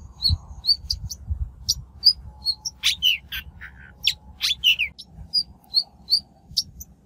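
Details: Shrike voice on a lure file for trapping or training newly caught birds; short high chirps repeated, a denser burst of harsh, mixed notes in the middle, then evenly spaced chirps again.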